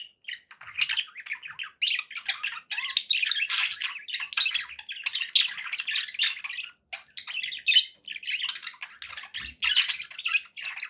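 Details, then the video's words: Several pet budgerigars warbling continuously, a busy stream of scratchy chirps and squeaks with a short gap midway and a faint low knock near the end. "budgie sounds for pet birds"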